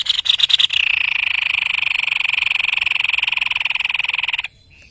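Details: Vigorous song of a white-necked babbler, an Indonesian tutor bird: a few clipped harsh notes launch into a sustained, rapid, buzzing rattle of about four seconds that stops abruptly.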